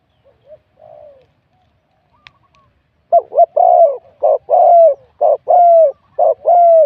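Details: Spotted dove, wild-caught, in a cooing competition, scored 87 points, with a medium-to-large voice. A few soft faint notes are followed by a pause, then a steady run of four deep two-part coos, each a quick note and a drawn-out hoot.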